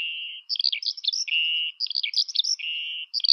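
Eurasian skylark singing: level, steady whistled notes alternate with bursts of quick, high, chirping twitters, repeated three times with no other sounds.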